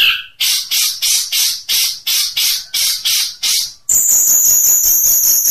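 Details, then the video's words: Long-tailed shrike in 'tembakan unik' style, a training recording of unique shots: eight evenly spaced harsh, buzzy notes at about two per second, then a sustained high, thin shrill tone to the end. "Masteran Cendet Tembakan Unik"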